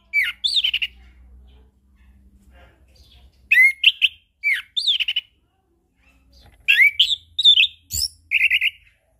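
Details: Lure song of the chestnut-capped thrush, meant to get silent birds singing morning, noon and evening: clear whistled phrases in three bursts with pauses between, each a quick run of sliding, warbling notes.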